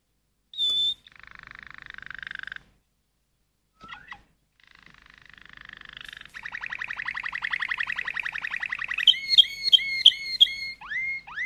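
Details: Malinois canary song that starts softly with a brief whistle, a low rolled trill and pauses, builds into a rapid rising trill, then ends in loud repeated swooping whistles.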